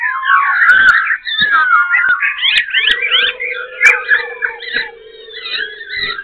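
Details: Black-throated laughingthrush perched in Ho Chi Minh City, singing and dancing: a dense jumble of whistled and squeaky notes shifting rapidly in pitch, then quieter warbles over a steady buzzing hum and occasional clicks.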